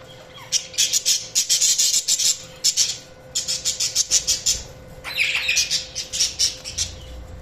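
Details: Budgies chirping: bursts of rapid, harsh, high chattering notes in pulsed runs, with short pauses near 2.5 and 3.2 seconds and a squeakier burst around 5 seconds.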